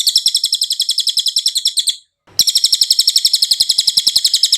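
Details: High, rapid cililin trill from a songbird training recording, sustained chattering notes at about four per second, with a brief break and a faint scraping sound before a longer run.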